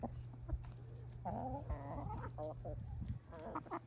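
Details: Pet hens making contented noises over a winter snack, with drawn-out, wavering clucks and short repeated bursts from several birds, against a constant low electrical hum.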